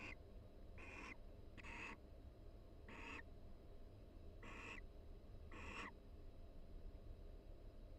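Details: Quiet conversation of a mated barn owl pair in a nest box, University of Florida, breeding season, mixed with mutual preening; five short raspy, hissy calls in the first six seconds, then only low hum.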